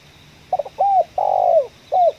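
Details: Ngeruk-type spotted dove in a coffee field during a luring session. Quick stutter notes lead into a smooth arched coo, then a long burred note falling away and a last brief coo.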